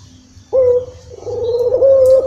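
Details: Barbary dove (puter) cooing as a lure to get a bird that rarely calls to start calling: after half a second of quiet, one long, steady, low hollow coo with a slight wavering lift near its end.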